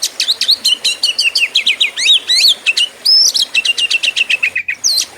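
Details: Fighting-style song of an Oriental magpie-robin kept for bird contests: dense, fast bursts of high whistles, trills and sweeping notes, repeated phrases tumbling together, then a long clear whistle and more rapid repeated chips near the end.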